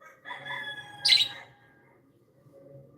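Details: Happy pet budgerigars: a soft, nasal warbling chatter leads into one loud, scratchy chirp, then quiet with faint hum.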